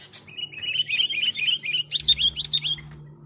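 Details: Sooty-headed bulbul singing gacor-style, a recording used to lure birds: a quick run of short, high, rising chirps, about a dozen notes in three seconds, growing louder toward the end over a faint steady hum.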